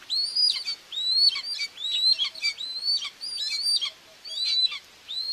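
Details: Common buzzards in Tiszalök, Hungary, on June 2, 2024, with a mother feeding two chicks at the nest under a live camera; rapid series of high, slurred, arching whistles, about one per second, some overlapping.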